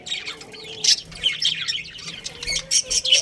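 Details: Breeding budgerigars in a colony squeak and chirp in quick uneven bursts, high scratchy notes with a few short whistles, over a faint low hum.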